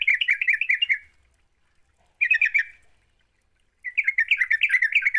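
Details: Sooty-headed bulbul in vigorous 'gacor' song, meant to prompt other bulbuls to sing: three fast chattering, bubbly phrases separated by pauses of about a second.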